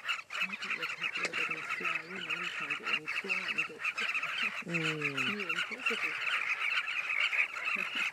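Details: Breeding colony of southern carmine bee-eaters on the Luangwa River banks; constant high chattering from a multitude of birds, overlaid by nearby people talking in low voices for several seconds.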